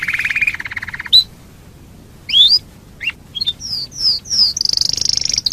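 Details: Canary singing to lure other canaries into song: a lower buzzy trill, a pause, scattered sharp chirps and high falling whistles, then a high pulsing trill.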